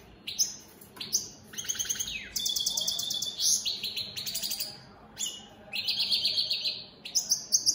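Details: Opal split Satane mutation European goldfinches singing a lively, high-pitched twittering song: bright chirps, buzzy trills and fast tinkling runs follow each other with brief pauses, some phrases sliding down at the end.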